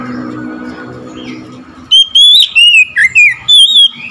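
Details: After a quiet stretch with a low hum, an oriental magpie-robin reacting to another magpie-robin breaks into loud whistled song: six or so ringing notes, some rising, some slurred downward, packed into two seconds.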